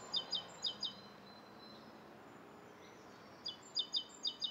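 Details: Morning in Bishopston, Bristol, 29 November 2014: a rose-coloured starling utters a short string of high, sharp doubled chirps, a pause of about two seconds, then another quick series of similar notes.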